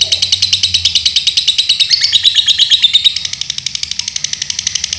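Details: Lovebird kept in Central Java, Indonesia, singing a rapid, shrill, rattling trill that rises slightly and grows harsher for three seconds, then continues a little softer at the same fast rate.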